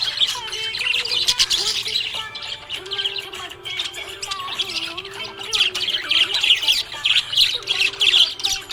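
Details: Budgerigar in a happy mood, giving a busy run of rapid twittering and chirps, irregular and high-pitched, with a tuneful music track audible beneath throughout.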